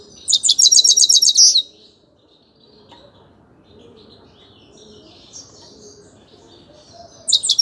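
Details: Grey-crowned goldfinch singing: a loud burst of rapid, high twittering notes lasting about a second, then quiet with faint distant chirps, and a fresh twittering burst starting at the very end.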